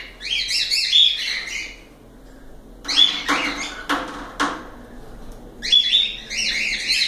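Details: Cockatiels kept as pets chirping indoors: bursts of high, warbling chirps with whistled notes, broken by sharp clicks and rustling, then more chirping at the end.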